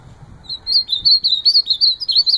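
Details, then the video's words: Ultramarine grosbeak singing a lively warbled phrase of quick, slurred high whistles that rise and fall in a near-continuous run of short notes with brief gaps, over a quiet background. "Azulão cantando"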